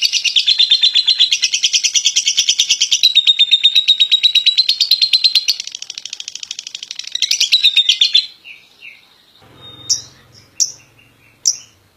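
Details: Champion contest lovebird giving its long ngekek chatter: about eight seconds of rapid, steady, high rattling notes pulsing several times a second, then the bird breaks off into a few sparse, sharp chirps.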